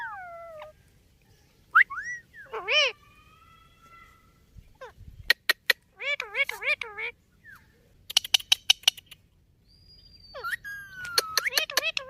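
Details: Indian ringneck parakeet talking in a loose sequence of human-like syllables, some wavering and nasal, broken by loud clicks, a rattling burst of taps and a long falling whistle.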